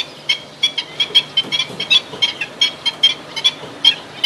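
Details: Black-winged stilts give sharp, yapping kek notes, about two to three a second in an uneven series, over a low background hum.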